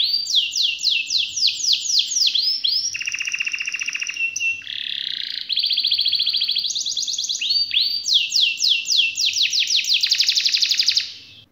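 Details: Canary pours out an extended varied song: series of descending whistles, low buzzy rattles, high trills and sweeping slurred phrases, all delivered loudly and almost without a break for over ten seconds.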